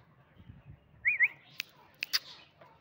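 A francolin gives two quick, high whistled notes with a rising lilt, followed by a few sharp clicks.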